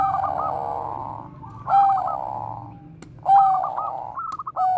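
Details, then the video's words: Bangkok zebra dove giving bekur koar-koar coos, a lure for training other doves; a stuttering opening followed by a long rolling coo, repeated twice in under five seconds, with a faint background hum. "perkutut BANGKOK BEKUR KOAR-KOAR bagus untuk PANCINGAN PERKUTUT"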